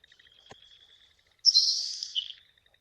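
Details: Nelson's Sparrow giving its quiet, ephemeral sizzle song, likened to bacon sizzling in a hot pan: one high, hissing, buzzy burst of about a second that trails off, over a faint steady insect-like tone; a secretive marsh bird.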